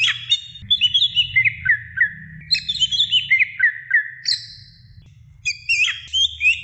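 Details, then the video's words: Greater green leafbird song recorded for training other birds: fast descending strings of whistled, slurred notes and high chattering phrases, a brief lull, then a renewed burst of sharp notes; steady low hum underneath. "suara masteran cucak ijo gacor"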